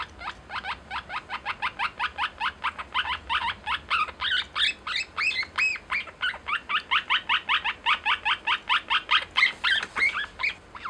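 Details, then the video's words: Lineolated parakeet kept as a pet, uttering "love you" (daisuki) to its owner: long, fast, unbroken chatter of slurred chirps, roughly two or three per second, some notes wavering. "Life with Lineolated Parakeet 077 love you サザナミインコとの生活 だいすき"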